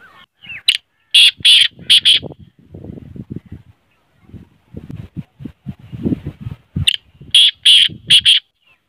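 Black francolin giving two loud, harsh, grating phrases of four to five rasping notes each, about six seconds apart, with low murmuring voices between them.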